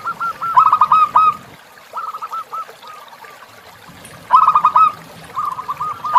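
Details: Zebra dove song meant to tutor caged birds, over flowing river sound: short clusters of bright, rapid coos separated by quieter spells, with a louder burst near the end.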